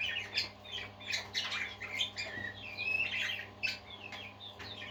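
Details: Parakeets singing happily: flowing warbled chatter of chirps, buzzy notes and clear short whistles, some rising and falling, over a low electrical hum.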